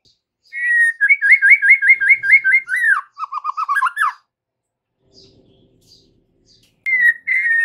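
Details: Afternoon white-rumped shama lure for trotol and pastol birds to sing back; a fast series of about eight identical rising-falling whistled notes, then a lower rapid rattling trill, silence, and a final bright whistle.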